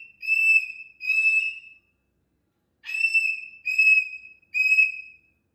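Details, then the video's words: Pet cockatoo calling loudly and happily: five long, even, high whistles with bright overtones, each about half a second, in two pairs and a closing three separated by a short pause; quiet room, no other sounds. "Loud Barney Happy Barney ~ Whoa Barney!!!"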